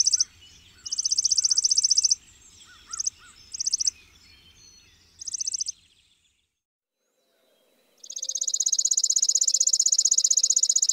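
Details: Chipping sparrow song: several short bursts of rapid high chips at the start, a silent gap, then one long steady dry trill, with soft low background rumble.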